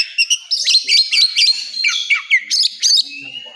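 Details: Oriental magpie-robin singing at a bird contest: sharp, ringing whistled notes and quick trills in short bursts, loud and clear, with other birds faintly behind.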